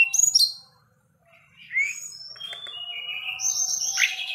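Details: Forktail kept as a songbird, singing energetically as if challenging a rival: a sharp high burst, a short silence, then a rising whistle followed by dense, high, sustained warbled and buzzy phrases.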